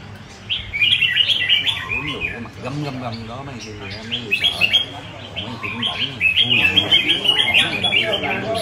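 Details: Red-whiskered bulbul singing in bright, chirpy bursts of quick whistled notes, several overlapping bird voices, with people talking and murmuring in the background.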